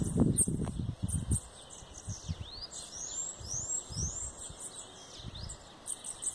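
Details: Bananaquit singing: a run of very high, thin, sweeping downslurred notes, quick and sibilant, accompanied by low thumping handling or wind noise and a steady high background hiss.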